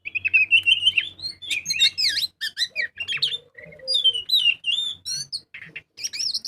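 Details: Oriental magpie-robin singing loudly and continuously, used as a lure to get other birds singing: a rich, varied run of whistled phrases, sweeping slurs and sharp chirps, with a lower drawn-out whistle in the middle.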